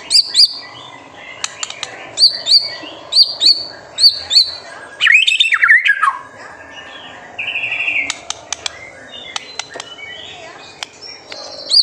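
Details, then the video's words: White-rumped shama master song to draw young birds into song: short high chirps repeated about every second, then a dense, tumbling burst of mixed notes, followed by clicks and softer calls. "MASTERAN MURAI BATU GACOR SANGAT COCOK UNTUK MEMANCING EMOSI MURAI BATU MUDA ATAU TROTOLAN AGAR CEPA"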